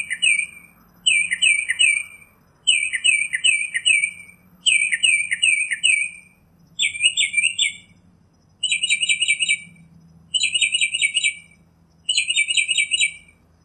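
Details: Northern mockingbird song in the wild, made of bursts of quick repeated notes, each burst about a second long with short gaps, changing to a new note type partway through.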